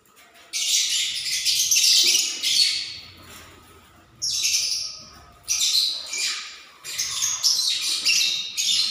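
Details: Lovebirds building a nest ahead of egg-laying give harsh, shrill, grating screeches in four bursts of one to two seconds, with short quiet gaps between them.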